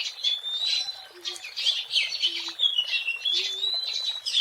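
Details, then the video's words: Wild Oriental magpie-robin song for use as a lure: a dense, continuous flow of whistles and chattering notes with sliding tones, plus a few low hums in the background. "SUARA ASLI BURUNG KACER GACOR BUAT PANCINGAN DAN PIKATAN MP3 DI ALAM LIAR"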